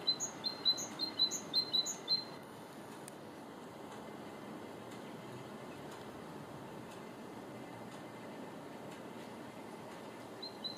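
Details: Great tit singing on 2 April 2014: a quick run of bright two-note phrases, high then lower, repeated about twice a second for two seconds, then briefly again; soft hiss fills the gap.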